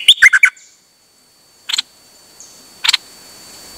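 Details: Songbird recorded 8 September 2023, singing nonstop on a rare outing: a quick burst of three bright whistled notes, then silence broken by short clicking chirps.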